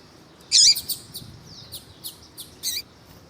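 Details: Lined seedeater (coleiro tuí-tuí), male with a female calling to warm him up: one loud high chirp followed by scattered faint short notes and soft slurred whistles over a quiet background.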